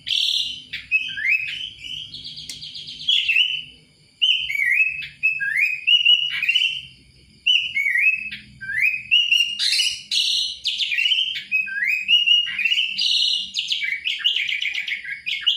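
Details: Kutilang, the Sooty-headed Bulbul, delivering a long sequence of short, bright whistled phrases. Many phrases slide upward and follow one another quickly, with a few harsher chattering notes and short pauses.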